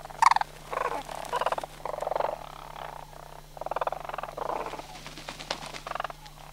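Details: Migrating sandhill cranes in September near Skyline Drive, Homer, with breeding pairs, young and non-breeders together. Rattled, purring calls in quick bursts, several birds overlapping and separated by brief pauses, over a constant low hum.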